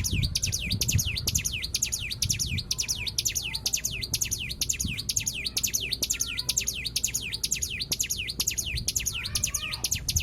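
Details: Lure song of a white-eye meant to set other birds singing: an unbroken run of sharp, high swooping whistles, each dropping and climbing again, repeated rapidly and evenly throughout, with low rumble underneath.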